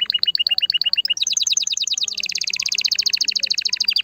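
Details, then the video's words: Canary song aimed at stimulating a hen for breeding, a steady chattering trill of repeated two-part notes that shifts into a faster, denser, higher rolling trill halfway through. "Chant de CANARI pour STIMULER la FEMELLE"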